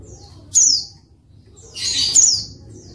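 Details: Female white-eye (pleci) calling, used to provoke reluctant males into singing: two bright, high downslurred chirps, the second longer and fuller, with a quiet low hum underneath.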